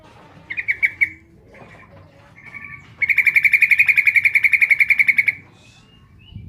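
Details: Female Sooty-headed bulbul calling the male: a short chatter of a few pulses, soft notes, then a long steady burst of rapid buzzy pulses lasting over two seconds, followed by quiet.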